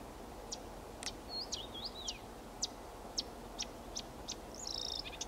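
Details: A marsh warbler at Tartu-Maarja, Tartu, Estonia sings a quick, varied run of high chips, short buzzes and sliding whistled phrases, with faint background hiss.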